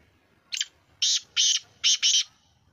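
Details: Kala teetar, the black francolin, giving a rasping call of five harsh, scratchy bursts in quick succession, the middle notes paired, with little else audible.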